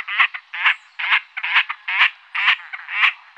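A Great crested grebe gives harsh, rasping, croak-like notes, each about half a second apart in a steady run, with no other sounds clearly heard.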